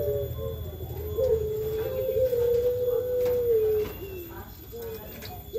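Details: Turtle dove (puter pelung) delivering a very long, smooth, drawn-out coo held for over two seconds, followed by shorter low coo notes.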